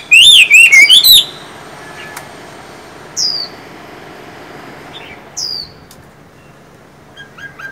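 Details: Kept Chinese hwamei, one of two birds, a 'văn' singer and a 'võ' fighter, housed together without ever meeting: a loud burst of rich, warbled whistled phrases for about a second, then only faint, high, descending whistles over quiet background.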